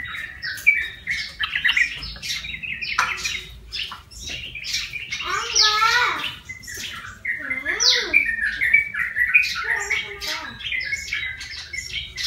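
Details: Wild yellow-vented bulbul, caught with a lure, now tame and singing after one month in care: dense run of chattering, bubbling notes with fast up-and-down sweeps, several louder looping phrases in the middle.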